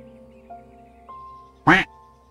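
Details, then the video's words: A single loud, rasping duck quack bursts out near the end, brief and broad, while gentle instrumental music with steady held notes plays underneath. "Beautifull Birds and Animals Sounds Around Us: Ducks"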